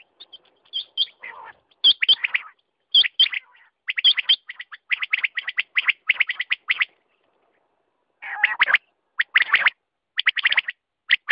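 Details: Quail calling rapidly: dense runs of short, harsh, clicking notes packed closely together, broken by a pause, then resuming in quick clusters.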